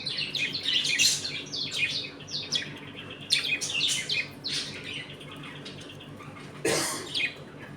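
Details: Domestic budgerigar colony eating and playing, with some fighting; fast twittering warble of many short chirps and squawks, ending in a loud harsh screech, over low hum.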